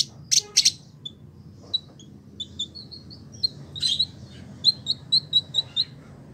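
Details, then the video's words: Village indigobird in a cage in Bandung, West Java, Indonesia, a tutor bird for song training: a few sharp high chips, then scattered thin whistled notes and a short series of evenly spaced high chirps, with low background hum. "Burung Masteran : Village Indigo Gacor"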